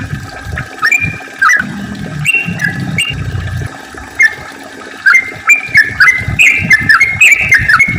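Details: Yellow-vented bulbul singing to lure others and make them sing: short whistled phrases, each a quick rise then a level note, coming in bursts, over low watery rumbling.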